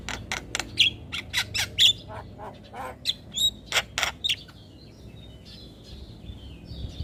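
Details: Jalak kebo, Javan myna, in a lure recording meant to prompt stressed, silent birds to sing; a rapid series of clicking and rasping notes mixed with short whistles, fading into quieter scratchy chatter.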